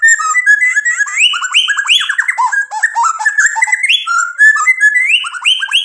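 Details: Continuous White-rumped shama song packed with imitated fill-in phrases, used to stir other shamas into answering: dense fast sequences of rising whistles, trills and chattering notes with almost no pause.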